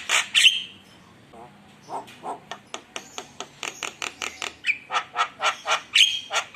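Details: ['Lure recording of a singing Javan myna to provoke rivals: two harsh squawks, soft nasal notes, then a long, accelerating train of clipped rasping notes ending in loud squeaky calls.']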